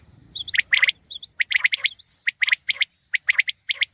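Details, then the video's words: Common quail calling: sharp, bright clipped notes grouped in rough triplets, each group repeated about once a second, with a few thin whistled notes overlapping and faint low rumble at the start. "Khobsorat saaf Batair Ki Awaz| Batair ki Awaz , Batair Sound vol 33 , Common Quail Sound 2020"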